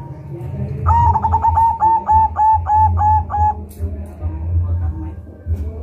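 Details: Local zebra dove singing a ngerol song with a rolling opening, used as a lure to start other doves calling; around nine quick, arched coos run together for about three seconds over a low pulsing rumble.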